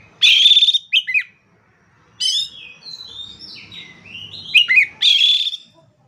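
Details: Oriental magpie-robin (kacer) singing gacor-style for training other birds: loud harsh rasping bursts alternate with a sequence of sliding whistled notes, ending in another grating buzzy phrase.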